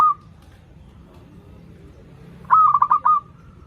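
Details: Perkutut, the zebra dove, singing as a lure for learner birds: the tail of one phrase opens, then after a quiet gap a rapid pulsed series ending in a held tone.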